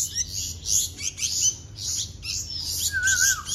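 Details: Hand-fed baby bulbuls give harsh, rasping, high-pitched begging calls in quick repeated bursts, with a brief wavering whistle near the end.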